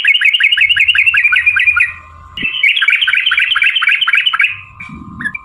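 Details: Rapid chattering ropel trills of a sooty-headed bulbul, played to spur rival birds to answer: two bursts of quick repeated notes broken by a brief gap, over a constant thin hum.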